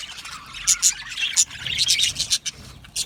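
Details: Budgies chirping when content: a few loud, sharp, very high chirps stand out over softer ongoing flock chatter.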